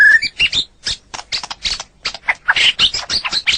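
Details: White-rumped shama from a bird-training master recording: one bright whistle opens, then a run of harsh, scratchy chattering notes delivered in quick irregular bursts.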